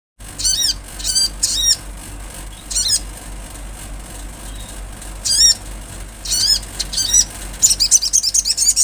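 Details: Olive-backed sunbird in lively song: high, thin, rapidly warbled notes with sweeping trills, delivered in short separated bursts, ending in a fast chattering run; a faint low steady hum underneath.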